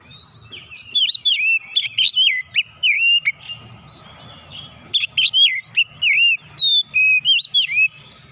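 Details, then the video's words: Kacer, the oriental magpie-robin, in forceful song that reveals stored 'isian' phrases: clear looping whistles and quick rising chips in rapid clusters, a short lull midway, faint low hum behind. "kicauan Kacer membuka isian suara yang terpendam langsung ngotot bongkar isian"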